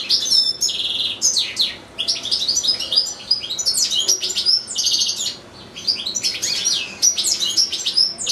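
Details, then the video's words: Long unbroken song of a caged European goldfinch, kept with a second goldfinch and two young goldfinch-canary hybrids; lively bursts of tinkling chirps, rising whistles and harsh buzzy trills follow one another with short pauses. "ΚΕΛΑΗΔΉΜΑΤΑ ΑΠΌ καρδερίνες"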